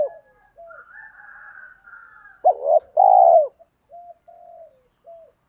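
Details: Spotted dove coo meant to draw wild doves into answering: soft faint coos, then a loud hooked note and a long rolling coo, trailing into quieter short coos.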